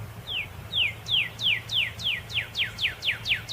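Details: Northern cardinal song: a quickening series of about twelve bright, downslurred whistles, each dropping sharply in pitch, coming faster toward the end against faint background noise.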